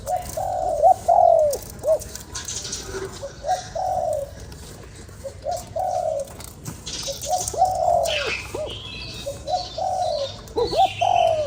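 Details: Spotted dove calling to stimulate a lure bird: repeated phrases of short rising hoots followed by a longer drawn coo, about eight phrases, with occasional faint chirps of other birds in the background.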